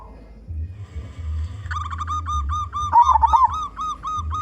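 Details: Local zebra dove in full voice, singing as a lure for other zebra doves: a long steady run of short, evenly spaced coo notes with a louder rolling coo near the end, low hum behind.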